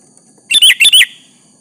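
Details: Sooty-headed bulbul singing to lure a rival into answering; one short burst of three bright, bubbly whistled phrases, with fluty rising and falling notes, over a quiet background.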